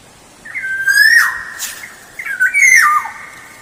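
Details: Black-naped oriole singing, intended as a lure: two fluty whistled phrases, each gliding downward and overlaid with a rough, raspy squawk, separated by a short pause.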